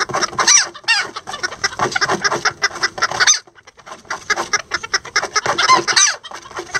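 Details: Lavender bantam chickens, miniature roosters and a hen building a nest together, give dense overlapping clucks and throaty chatter in rapid bursts, broken by a short quiet gap midway.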